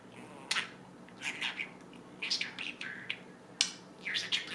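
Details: A 1.5-year-old male talking budgerigar from Northern Ontario, Canada, which knows 120+ phrases, chatters in rapid, high, scratchy bursts as it mimics human words.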